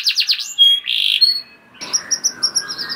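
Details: Canary singing as a prompt for other canaries. A few quick downslurred notes are followed by a pure whistle and a short buzzy trill. After that come soft, high, spaced chips over faint background noise.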